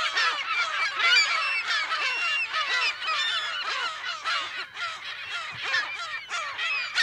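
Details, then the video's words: Colony of California gulls, recorded in mono from close to middle distance, with overlapping raucous nasal cries that come thick and fast, bright and harmonic, with no quiet gaps between birds. "California Gull / CU - MP Calls In Colony"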